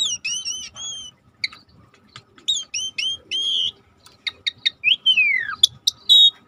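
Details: Asian pied starling song played as a lure to get a bird that has stopped singing to sing again: clear whistled notes and double chirps in loose groups, ending with a long whistle sliding down and bright high squeaks.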